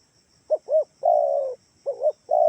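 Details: Lure call of a spotted dove for calling in other doves: two brief bowed coos followed by a long even coo, then the phrase restarts; soft low tones over a thin high-pitched hum.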